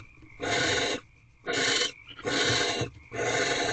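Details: Barn owls in nest box C at 4:26 am on 17 March 2023: the male brings prey, then mates with the female on the 27th night. Four harsh, breathy hisses of about half a second each, separated by short pauses.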